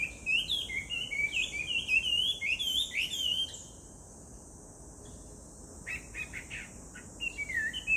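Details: Chinese hwamei singing in Japan, recorded 18 July 2019: a rush of varied whistled, warbling notes for nearly four seconds, a brief pause, then short harsher notes and renewed whistled phrases, over a constant high hiss.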